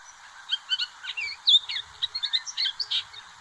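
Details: Western Tanager song, a spring migrant in Santa Barbara County: a quick run of short hoarse burry phrases, high and jumbled, repeated without pause over faint background hiss.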